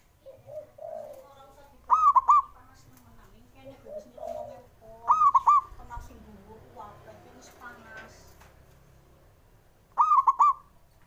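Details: Male zebra dove calling to prompt lazy doves to sing: three clear phrases of rapid, staccato coos spread over eleven seconds, with soft murmuring and fainter calls in the gaps.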